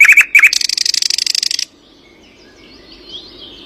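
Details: Bird in the early morning giving a few sharp bright notes, then a fast dry rattling trill of about a second, after which only faint distant twitters remain.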